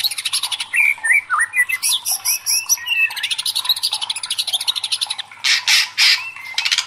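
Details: White-rumped shama singing agitatedly in dense, rapid phrases of chips, short whistles and harsh noisy bursts with hardly a pause.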